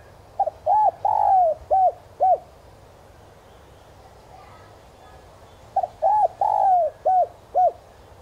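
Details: Spotted dove decoy in standard 'son' voice, calling to lure wild doves: two matching coo phrases roughly five seconds apart, each a brief double note, arched coo, long descending coo and two short arched notes.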